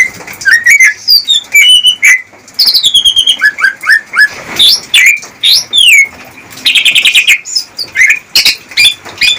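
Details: Captive greater green leafbird singing to court a female for breeding: rich medley of sweeping whistles, rising and falling slurs, quick stuttering trills and a buzzy rattled burst, delivered continuously with brief pauses.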